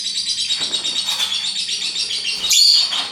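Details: High, scratchy chatter from a lovebird, rapid and unbroken, ending in a louder shrill burst.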